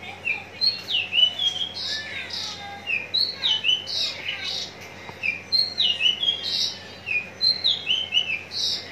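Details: A kept Javan (Horsfield's) bush lark at Citra Raya, Cikupa, Tangerang, pours out a fast, unbroken run of high, varied chirps, trills and slurred whistles, about four phrases a second, with no other clear sounds.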